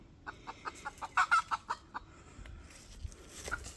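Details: Red junglefowl, a wild chicken said to have a big, hoarse voice, gives a quick run of about ten short, rough clucks in under two seconds, evenly spaced and briefly louder midway, then trailing off into faint background rustle.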